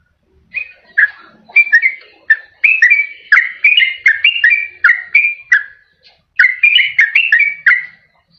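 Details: Yellow-vented bulbul song used as a lure for wild birds and for caged birds that sing rarely: short whistled notes and slurred phrases in two bursts, separated by a brief pause.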